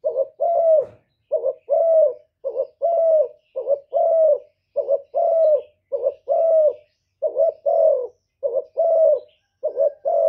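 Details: Spotted dove giving cooing calls meant to provoke rival birds: a steady run of low, hollow coo notes, paired short-then-long, repeated about once per second for ten seconds with no background noise.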